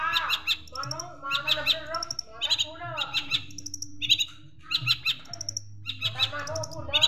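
Long-tailed Shrike song packed with sparrow-like chirps: bright, chattering bursts of sharp notes about every second, with a faint low hum underneath.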